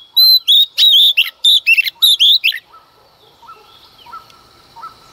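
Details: Early-morning song of a female Oriental magpie-robin, meant to provoke males. A quick series of loud, bright whistles and trills fills the first half, followed by faint lower chirps from more distant birds.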